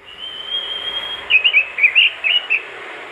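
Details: Robin song used as training audio to get other robins singing: a long steady high whistle held for over a second, then a run of quick warbled, looping whistled notes.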